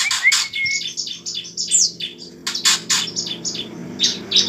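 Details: Fighting song of bar-winged prinia played to spur a bird into singing: a brief level whistle, then scratchy high chirps and buzzy trilled bursts in irregular clusters, faint low hum beneath.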